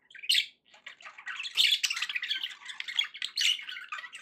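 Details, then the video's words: Budgerigars kept as pets indoors: an opening squawk, then a sustained busy warble of scratchy chirps, clicks and squeaky whistles running to the end. "budgie sounds to encourage your parrot to eat and sing"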